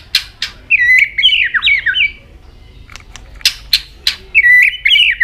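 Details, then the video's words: White-rumped shama singing in many changing voices while its tail keeps flicking: rich warbled, slurred whistle phrases broken by sharp dry clicks, then a fresh bright warbling phrase at the end. "chòe lửa hót nhiều giọng đảo giọng đập đuôi liên tục"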